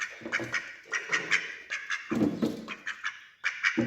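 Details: Male and female ducks quacking while feeding together and showing fear, a run of short nasal quacks in quick clusters, with a rougher, drawn-out call in the middle and a few clipped quacks after a brief pause.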